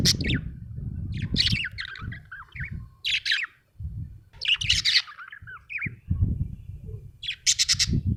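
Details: Happy budgie giving bursts of high, warbling chirps and squeaky twitters separated by brief pauses, with a harsh squawky chirp near the end; low rustling and handling noise underneath.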